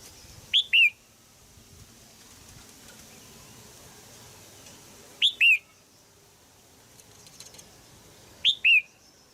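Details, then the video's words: In Thailand, a caged female crested bulbul gives calls meant to encourage a young male to sing: brief two-note whistles, a sharp upslur then a dropping note, spaced widely apart with soft hiss between. "นกหัวจุก birds - นกตัวเมียร้องเจี๊ยก ๆ ในกรงเพื่อกระตุ้นให้นกหนุ่มร้องดีมาก"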